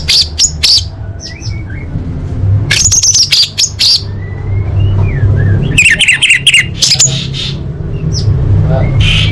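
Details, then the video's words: Song of an orange-headed thrush used to tutor competition birds: rich mix of high chips, rapid warbled bursts and thin gliding whistles, delivered in irregular spurts over a persistent low hum. "Masteran Anis Merah Full Isian untuk Lomba Besar & Latber Elite"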